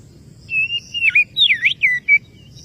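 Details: Brief Oriental magpie-robin phrase for a rival: two level whistles, then looping V-shaped slurred notes and short clipped closing notes, loud and clear over faint background hum.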